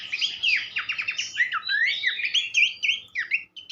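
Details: Horsfield's babbler song used as a tutor recording for teaching songbirds: a rapid, rich run of varied whistled and slurred notes, rising and falling, with sharp chattery phrases and no pauses.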